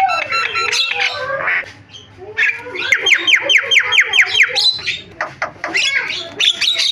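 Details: Javan myna singing a varied song with fill-ins. Grating squawks and a falling wail lead into a rapid series of about ten rising, scraping notes, then mixed harsh chatter.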